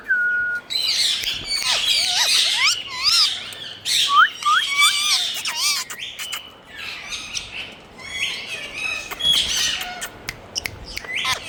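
Several parakeets chatter nonstop with shrill squawks, rising whistles and quick chirps overlapping, several calls each second, bright and harsh.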